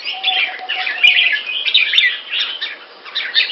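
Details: Red-faced Red-whiskered Bulbul kept in Singapore, singing clear and loud: a dense, continuous run of bright chirping, warbled notes with quick rising and falling twists. Sharp clicks at about one and two seconds, and a faint steady low tone beneath.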